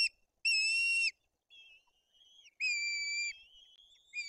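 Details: Two white-tailed eagle chicks being fed at a nest in Bory Tucholskie, Poland, the older one aggressive; loud, level whistled notes alternate with softer, thinner drawn-out piping, about one strong call every two seconds.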